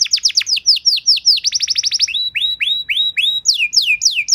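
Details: Canary singing a master song for other canaries to copy: a steady series of loud downward-sliding whistled notes, some doubled, shifting pitch and speed over four seconds, clean and close.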